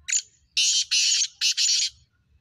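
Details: Close black francolin (kala teetar) call: a short sharp opening note, then four loud, drawn-out, grating buzzy syllables in two pairs, ending abruptly in a quiet setting.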